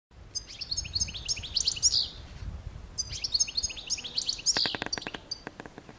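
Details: European goldfinch (Carduelis carduelis) singing: bursts of rapid, tinkling high twitters and trills with liquid notes, two phrases separated by a short pause, ending in a run of clicking ticks; faint low rumble beneath.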